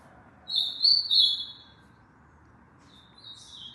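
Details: Ultramarine grosbeak kept as a tournament songbird in Aracaju, Sergipe, Brazil: one short warbled phrase of quick, high, slightly rising and falling notes lasting about a second, followed by quiet and a faint later note.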